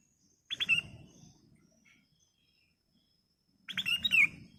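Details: Golden-fronted leafbird song used as a lure for training caged birds: two short bursts of bright whistled and chattering notes with quick downslurs, separated by about three seconds of near silence, with low background rumble.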